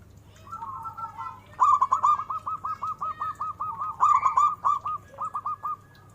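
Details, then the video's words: Zebra dove singing a long, rolling series of clipped cooing notes, delivered fast and evenly for several seconds before slowing into a few spaced notes, with a soft low hum in the background. "Suara burung perkutut"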